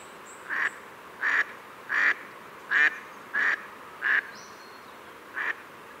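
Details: Pacific black duck giving a series of harsh nasal quacks, spaced roughly once a second, over a steady hiss of background noise.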